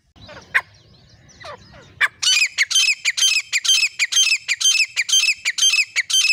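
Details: Partridge pair (grey francolin) for hunting use: faint squeaky notes over a low hum, then loud, regular, strident calls repeated about twice per second.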